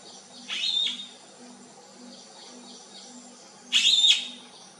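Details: Black-eyed bee-eaters seeking their flock: one rolling, buzzy call, a quiet pause with faint distant notes, then a second louder, harsher trilled call.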